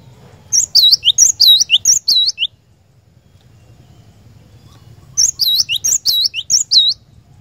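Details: Two bouts of cinereous tit song, used as a lure for caged birds, each about two seconds of rapid repeated bright whistled couplets, separated by a quiet gap with faint hum.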